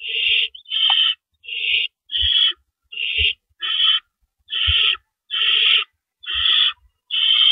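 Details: Owls at a nest in the night, April 4, 2012, before dawn around 4:30 AM, as adults bring in and carry off rabbits; harsh, hissing screech bursts about half a second long repeat roughly once a second, with faint low thumps.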